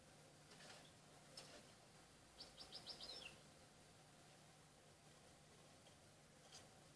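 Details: Young European goldfinches, 34 days old, placed indoors for song tutoring in June 2016, give a brief run of high, tinkling chirps over a low background hum.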